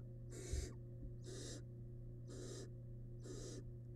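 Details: Four rasping, noisy hisses roughly one second apart from a wild barn owl nestling in its nest box while it eats a big piece of rabbit. One low thud near the start and a steady background hum.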